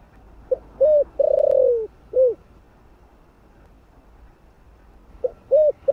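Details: Spotted dove (cu đất) singing in the thổ voice style, used to stir up decoy birds: a brief note, an arched coo, a long buzzy falling coo and a closing arched coo, with a second phrase starting near the end.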